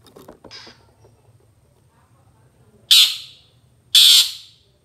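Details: Long-tailed shrike master recording for training songbirds: faint brief chatter at first, then after a quiet gap two loud, harsh, scratchy squawks one second apart.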